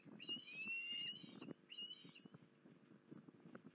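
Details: Osprey recorded at Port Lincoln on 19 January 2021, giving a run of high, upslurred whistled notes, a pause, then a second shorter burst of rising whistles, over soft tapping and rustling.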